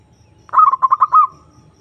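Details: Perkutut, the zebra dove, giving a challenge call toward a rival, used as a lure: a single burst of half a dozen fast, bubbling coo notes finishing on a held tone.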